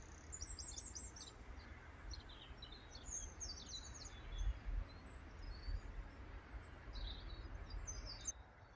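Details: Birds singing in a park: faint, thin high chirps and short descending twitters in scattered bursts, with a constant low rumble of traffic underneath.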